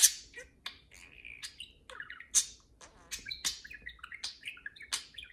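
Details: Playful parakeet pair chattering indoors: loud sharp chirps punctuating continuous soft warbling and twittering phrases.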